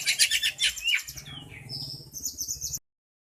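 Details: An Oriental magpie-robin, shown in a tail-play display, delivers a fast run of harsh chattering notes, then sweeping whistled slurs and a high thin trill. A low hum runs underneath and the sound ends abruptly.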